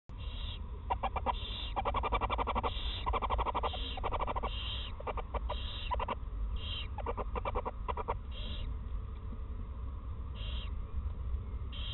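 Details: Owl mother and newly hatched first chick at the nest in Eersel, 2018, the mother feeding it soft parts of a mouse on its first day; rapid clicking, rattling bursts repeated in clusters over steady low rumble.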